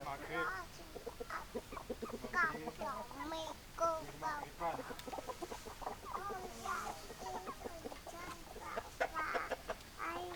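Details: Hens clucking in a flock, many short rounded clucks overlapping in quick irregular bursts, some rising into louder cackled notes, with a faint background hum.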